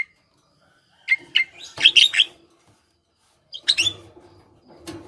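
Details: A highly vocal Javan myna, played as a lure to prompt quiet mynas to call, gives two short bursts of harsh, chattering whistles with brief gaps of silence between them.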